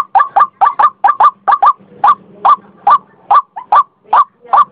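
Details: White-breasted waterhen uttering short harsh croaks, first in quick pairs then as evenly spaced single notes, with a faint low hum in the middle.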